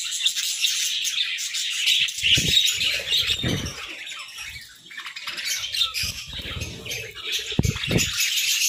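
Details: Budgerigars singing together in the morning: steady high twittering and buzzy warbles from several birds, with soft low bumps and rustles scattered throughout.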